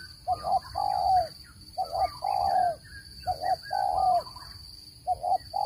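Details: Spotted dove, recorded for luring birds into traps, gives repeated phrases of two quick coos then a sustained falling coo, about every one and a half seconds, with faint chirping and a steady high-pitched hum.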